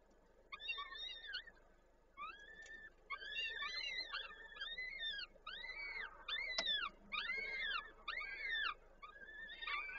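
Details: Peregrine falcons at a nest in Koszalin, Poland, on 13 May 2022, the male arriving with prey and the female feeding the chicks; a series of harmonic, arched, wailing calls repeated in bursts, with a sharp click near the middle.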